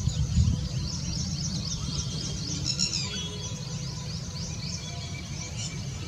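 Black drongo giving quick, high, sharp chirping notes in rapid bursts, set against a steady low rumble of wind or traffic.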